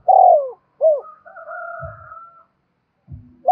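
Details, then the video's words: Decoy-training recording of a spotted dove: a long falling coo and a short curved note, followed by a steady higher tonal drone from another source and low dull thumps. "tiếng chim cu gáy kích bổi nhanh nổi và tập mồi hiệu quả mỗi ngày"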